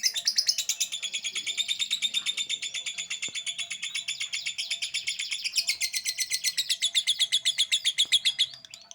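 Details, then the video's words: Lovebird singing a sustained ngekek: a nonstop, rapid series of grating, buzzy chatter notes, about four per second, that keeps going for the whole stretch with only slight shifts in tone. "LOVEBIRD LADOT NGEKEK DURASI"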